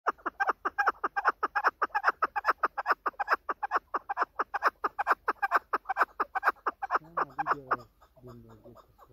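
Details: Female chukar, a hunting bird called keklik or chakor, giving a fast run of harsh, clucking notes, about four a second and steady for seven seconds, then slowing into a few lower, rougher, drawn notes at the end.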